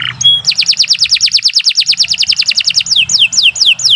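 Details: Canary in full, continuous song for songbird training: after a brief rising note, a long run of rapid descending whistled slurs pours out for over two seconds, then slower, louder downward sweeps.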